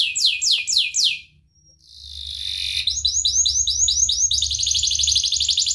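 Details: Master canary song for training other birds: a few loud falling sweeps, a brief lull, a buzzy tone, then rapid repeated down-slurs building into a dense high trill.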